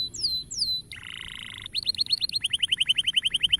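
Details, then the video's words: Canary song meant to encourage young canaries to sing: two sweeping descending whistles, a buzzy harsh roll, then a rapid steady trill of repeated upslurred notes. "Cuitan Burung Kenari Memberi Semangat Kenari Paud Untuk Gacor Dor"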